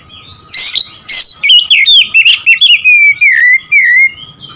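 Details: Kacer, the Oriental magpie-robin, sings to rile up a rival: two sharp harsh notes open, then a stream of fluty whistles sliding up and down, with brief gaps between bursts and a faint steady background tone.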